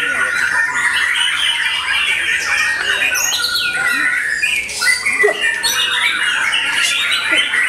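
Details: White-rumped shama after moulting, delivering a loud continuous song of mid-to-high whistles mixed with harsh chatters and short downward slurs, the phrases changing every second or so.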